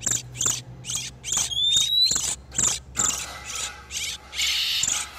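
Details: Oriental magpie-robin pair in breeding condition, a trapping lure: scratchy, hissing chatter in short bursts, with a rising whistle early on and a faint low hum underneath.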